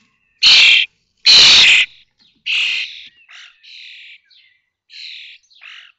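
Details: Common starling chicks fledging from a connected nest box at Théding, 19 May 2024: two loud hissing rasps followed by a series of softer, shorter scratchy calls that fade away.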